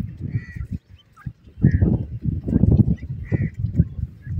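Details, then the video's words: Partridge, locally teetar, giving three separated hoarse, nasal call notes, spaced irregularly over about three seconds, partly masked by loud low-pitched rumbling and handling-like noise. "the Beauty of Cute Partridge Calls,awaz bird teetar"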